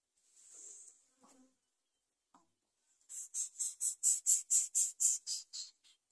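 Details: A young Greater Coucal crying for food, begging with a fast run of about a dozen harsh, hissing rasps, roughly two each second, after a softer hiss and a few faint clicks.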